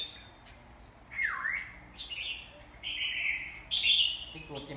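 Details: Red-whiskered bulbul in song training gives a sequence of loud whistled phrases, opening with a sharp downward-swooping note, then steady ringing whistles, several repeated in quick succession over about five seconds.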